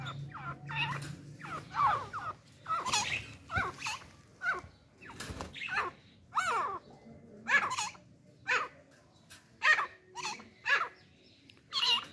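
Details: Excited partridges, a male-female pair together with a hunting female; loud harsh squawking notes repeated roughly once a second, each a brief broadband burst, with a faint low hum early on.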